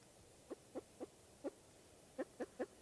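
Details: Spruce grouse giving a series of short, low clucking notes with harmonics, four spaced notes, a pause, then four quicker notes; quiet background.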